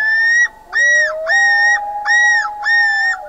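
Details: At night, a common loon gives loud, ringing arched notes repeated roughly every half second. Beneath them, a low wail slides upward and then holds steady.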